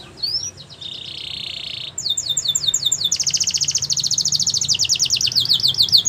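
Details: Yellow Belgian canary singing, described as in the wild: a rising whistle and a steady buzzy tone, then long chattering rolls of rapid high notes, repeated many times per second.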